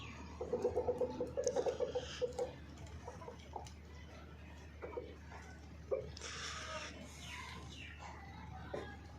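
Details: Hen clucking, linked to egg laying and mating: a rapid run of about ten rhythmic, harmonic clucks in the first two seconds, then scattered single clucks over steady low hum and rustling.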